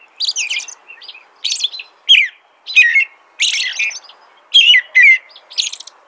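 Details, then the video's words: American robin song with a mix of clear falling whistles and scratchier, higher notes, phrases spaced irregularly about half a second apart against faint background noise. "American Robin Song"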